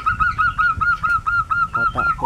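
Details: A zebra dove in a quiet rural village in Prembun, Kebumen, Central Java, gives a quick run of about eleven level, hooting notes, roughly five per second, ending on a brief upturned note over a low background rumble.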